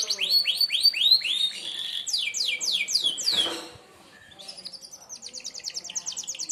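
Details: Sharp-shot canary song of the merlok kind, intended for training other birds: rolling series of curved whistled notes, a short noisy break, then a rapid high repeated trill.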